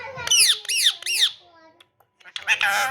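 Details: Pet ringneck parrot talking indoors: three quick arched squawky syllables, a short pause, then a harsher burst of chattering noise.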